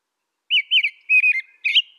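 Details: American robin singing four bright, slurred whistled phrases in quick succession, the last rising higher, in an otherwise silent recording.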